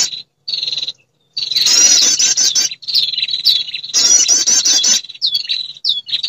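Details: A female prinia calls to attract males, used to lure birds: short buzzy notes, then bursts of rapid rattling, wavering high trills, ending with brief upslurred chips.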